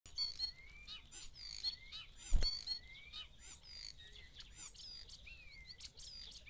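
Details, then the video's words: Common starling singing in morning mist in the Eifel near Dohr, Germany: a varied medley of whistles, slurred rising notes and clicking trills over low rumbling background noise. "Gesangskünstler Star zwitschert im Morgendunst"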